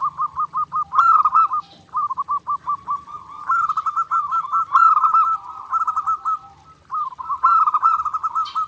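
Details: Zebra dove singing nonstop in clear master recording meant for daily training: rapid stuttering runs of short cooing notes at mid pitch, linked into rolling trilled phrases with brief pauses between bursts.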